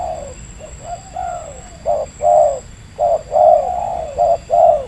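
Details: Spotted dove, wild Indonesian bird with a medium voice, responding to a decoy: a string of short rounded coo notes, some doubled, coming in quick bursts about once a second, with faint low hum behind.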